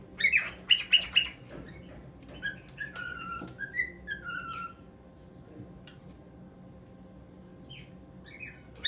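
A cockatiel sings a varied run of whistles and squawky chirps, with falling slurred notes.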